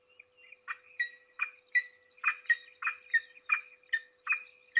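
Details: Peregrine falcon at its nest in Trzebież Forest District on 7 May 2022, feeding its single chick: harsh, rasping notes repeated roughly every half second, loud and steady throughout, over a constant low electrical hum.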